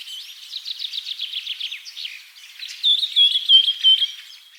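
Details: Bird song in natural surroundings: a rapid series of evenly spaced high chirps, about three per second, then a brighter, louder thin whistled trill that warbles at a steady high pitch until the end.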